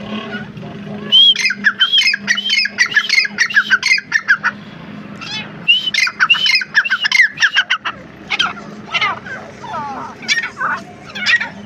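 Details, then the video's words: A grey francolin calls in loud, harsh, ringing phrases repeated in quick series: two long bursts, then scattered notes, over a faint low hum. "bhora teetar ki boli,gora teetar ke awaz,dakhni teetar voice"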